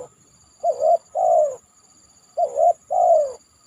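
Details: Spotted dove calling after heavy rain from atop a banana trunk: two deep cooing phrases, each a short note, a rising double coo, then a long falling coo, about 1.7 seconds apart, over a faint steady high hiss.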